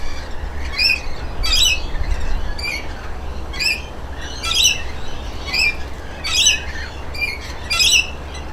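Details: Bathing rainbow lorikeet pair, male and mate, repeat sharp rasping screeches roughly once a second, each a short harsh burst, over a steady low background hum.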